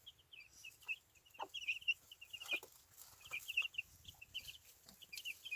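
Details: Contented Easter Egger chicks on grass inside a chicken tractor, raised by an adoptive hen. Steady strings of short high cheeps come two or three at a time, with occasional faint thumps underneath.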